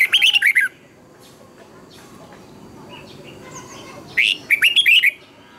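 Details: Red-whiskered bulbul singing a fiery, intense song meant to train other bulbuls. A rapid run of warbled whistles opens the clip. Quiet follows, then a second equally quick twisting phrase.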